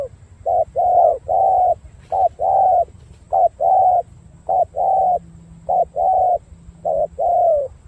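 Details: Cooing spotted dove from Cà Mau delivering about six paired phrases, each a clipped low note then a drawn-out hollow coo, evenly spaced over several seconds against a quiet low rumble.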